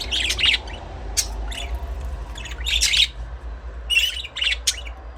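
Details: Budgies chirping: rapid scratchy chirps and squawky warbles in irregular bursts, several birds overlapping, with short pauses between clusters and a low constant hum underneath.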